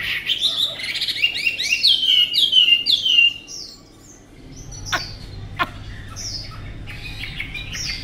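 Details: Tame Chinese hwamei from Vietnam, praised for its fine voice, sings clear whistled phrases that slide down from high to mid pitch in quick succession for about three seconds, then quieter scattered notes and sharp clicks follow.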